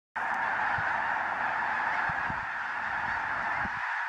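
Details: Snow geese, recorded 5 February 2015: a dense, continuous roar of many overlapping goose calls, with no single voice standing out, and faint low thumps beneath.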